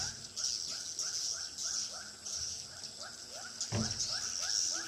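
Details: Swiftlet lure sound for attracting birds to a swiftlet house in Pekanbaru. Rapid rising chirps repeat in a steady run under a continuous shrill twittering band, with one brief low thump near the end.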